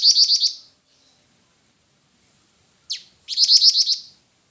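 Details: Two bursts of shrill, rapidly pulsed trilling from a jingjing batu (black-winged flycatcher-shrike), each about a second long, separated by silence and a lone sharp descending note.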